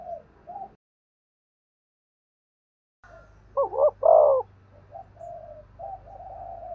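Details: Spotted dove call for training decoy birds: after a silent gap, one double-note coo with a long falling end, followed by softer drawn-out coos over a low steady hum.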